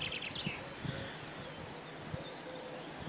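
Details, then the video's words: Wild birdsong on Castle Hills in Bungay, Suffolk: thin, high whistled phrases and quick chirps scattered through, faint against steady outdoor background noise with low rumbling. "Birdsong on Castle Hills in Bungay"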